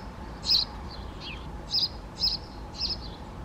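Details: Great spotted woodpecker calling a series of short, sharp, high kik notes, five loud ones spaced irregularly roughly every half second, with fainter softer notes in between and a quiet background.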